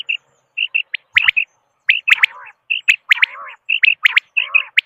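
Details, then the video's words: Quail call played as a hunting lure in Pakistan: short clear chirps at one steady pitch, often in pairs or triplets, broken by sharp upward-sweeping notes and low buzzy warbles, the pattern recurring about once a second with no other sounds. "Batair ki Awaz | Quail Voice"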